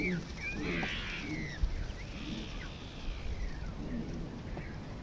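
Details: Long-tailed meadowlark (Leistes loyca) near Río Gallegos, Santa Cruz, Patagonia, southern Argentina, gives slurred, wheezy whistles sweeping up then down in two phrases over a steady low rumble; finding: Long-tailed Meadowlark.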